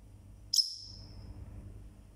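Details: Pet parrotlet (Forpus), a single bird calling very loudly: one sharp, high chirp that cuts off quickly, against a faint low room hum.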